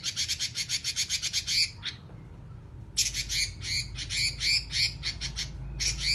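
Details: Oriental magpie-robin giving extended 'nyerecet' chatter: a fast train of scratchy, buzzy pulses, a short break, then more rapid rasping phrases, with a low mechanical hum throughout.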